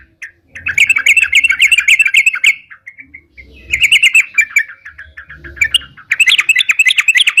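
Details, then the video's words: Lively ropalan song of a sooty-headed bulbul, meant for luring birds: three long runs of fast, tumbling chatter broken by brief gaps, with light low-pitched noise underneath. "suara crucukan gacor bisa buat pikat"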